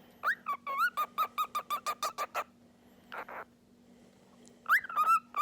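A cockatiel gives a quick run of about a dozen sharp, rising chirps, then a rough burst and a final whistled upslur, over a steady indoor hum.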